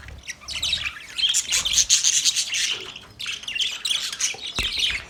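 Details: Male budgerigars produce rapid, rasping high chirps in a continuous warbling chatter with brief dips.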